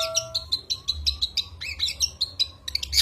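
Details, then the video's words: Vigorous long-tailed shrike (cendet gacor) singing a full-burst fill-in medley (isian), offered as a tutor recording for contest songbirds: fast, varied chirps and short buzzy notes, with steady faint low tones underneath. "cendet gacor full tembakan 🔥 isian"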